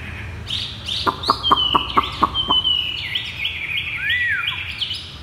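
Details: Caged Chinese hwamei singing in the 'thắt cổ chai' (bottleneck) style: high whistled notes, then a run of evenly spaced sharp knocks, then long level whistles and a rising-falling arched note.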